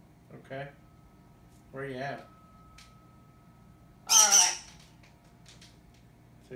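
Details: Blue-and-gold macaw answering the phone, talking in three short, speech-like bursts about two seconds apart, the last louder and harsher, in a quiet room.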